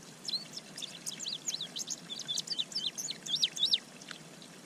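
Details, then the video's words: Male Indigo Bunting approaching a bird pond in spring, May 25, 2023, sings a rapid, high string of sharp, sweeping notes for about four seconds, then falls quiet over a faint background hiss. "Indigo Bunting Singing in the Bath"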